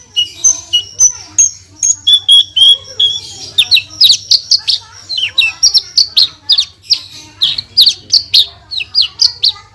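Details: Branjangan, the Javan bush lark, in active full-burst 'tembakan' song used to tutor Indonesian cagebirds: thin high whistles at first, then a fast run of sharp chirps and trills, about three notes a second, with a soft low hum beneath.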